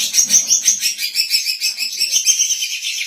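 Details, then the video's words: Indonesian captive female greater green leafbird, kept for song training and as a decoy; steady high, rapid chattering song with sharp whistled accents pulsing about five times a second. "BURUNG CUCAK IJO BETINA GACOR COCOK UNTUK MASTERAN DAN PIKATAN"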